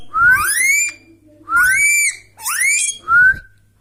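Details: Pet Indian Ringneck Parrot whistling naturally indoors, four upslurred whistles, the first two long and drawn out, then a quick rising note and a short level one, each rich in overtones, with a low room hum.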